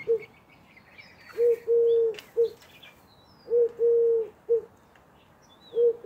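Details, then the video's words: Eurasian collared dove calling nonstop for a whole minute: its three-part coo, short then long then short, repeated every couple of seconds, with faint chirps of other small birds behind. "Woohoo bird won't shut up!"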